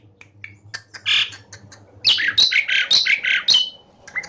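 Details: Asian pied starling (jalak suren) in energetic gacor song, played as training audio to spur lazy caged starlings; a sparse opening of short chirps gives way to loud, rapid squawky and whistled phrases over a low steady hum.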